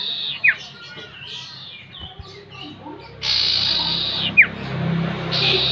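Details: Iora lure played to make a caged bird sing actively: a quick falling whistle, then a stretch of soft, scratchy twittering, then loud hissing buzzy bursts with another sharp downslurred whistle, above low background hum.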